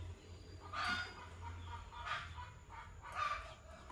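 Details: Green Fischer's lovebird couple calling in the morning, three scratchy broadband chirps spaced roughly one and a quarter seconds apart against a low constant rumble.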